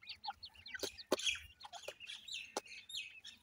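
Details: Young grey francolins at feeding time utter a busy chorus of high, slurred little peeps, several chicks calling at once, with a few sharp tapping clicks between.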